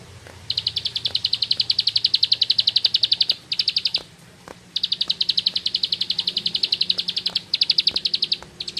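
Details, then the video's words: Ngebren singing by a bar-winged prinia (ciblek sawah): long bursts of quick, high, evenly spaced chips, a nearly three-second run, a short one, a pause, then more sustained trilling. "Suara Burung Sawah Receh Nembak Ngebren // Ciblek Sawah"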